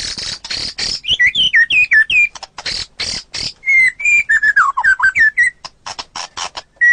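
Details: Murai batu, the white-rumped shama, in a training recording: loud harsh noisy bursts alternate with clear slurred whistles that dip and rise, phrases separated by short pauses, ending in scratchy chattering notes.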